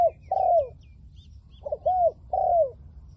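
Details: Spotted dove kept as a decoy for catching wild doves, voice of the 'liu tan' type: soft mellow coos, each phrase ending in a long downslurred note, with faint high chirps of other birds behind.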